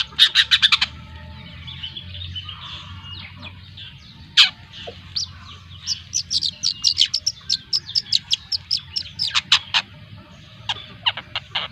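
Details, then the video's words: Young long-tailed shrike, a two-month-old speckled bird of the Lampung type, giving bursts of sharp, clicking, high chatter. A quick rattle opens, then scattered notes, then a dense run of rapid ticks and harsh chips. "Suara Burung Cendet Trotol Usia 2 Bulan‼️Cendet Lampung"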